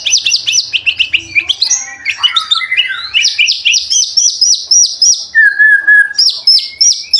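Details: White-rumped shama in full lure song meant to stimulate other shamas: fast runs of high downward-sweeping notes, a varied twittering middle section, a steady low whistle, then more rapid high sweeps.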